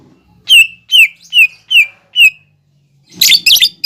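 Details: Lesser green leafbird (cucak ijo) in a masteran recording of its imitated fighting-sparrow, lovebird and sunbird repertoire: five clear downslurred whistles spaced about half a second apart, followed by a harsh scratchy burst.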